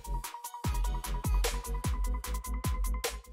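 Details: Electronic music with a punchy beat and bright synth notes, no animal sounds heard.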